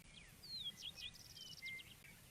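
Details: A western meadowlark, a grassland bird of open spaces heard in spring in Central Oregon, sings clear, slurred whistles that drop in pitch, then a fast, bubbling trill and a few gurgled notes over a faint low rumble.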